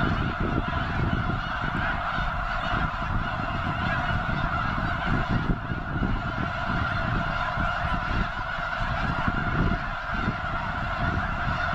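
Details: Snow geese in a huge flock at Potholes Reservoir, likely gathering before heading north to breed on the arctic tundra; constant overlapping honks over strong low rumbling wind noise.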